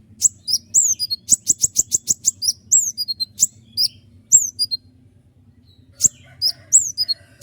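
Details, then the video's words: Common iora, a konin gacor, delivering a long fast roll of sharp high notes. Rapid repeated strokes race for about two seconds, followed by slurred falling whistles, a short gap, then more sharp notes. Intended as a master for other songbirds. "roll tembakan panjang dengan tonjolan tajam mewah dari konin gacor untuk masteran burung kicau lain"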